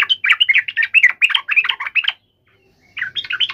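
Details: Emotional fighting call of a yellow-vented bulbul, dense chattering chirps tumbling quickly for two seconds, a brief gap, then another fast burst.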